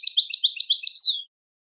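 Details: Short burst of goldfinch song used to teach goldfinches to sing: rapid bright chirps in quick succession, ending on one drawn-out, falling whistled note. No other sounds are present.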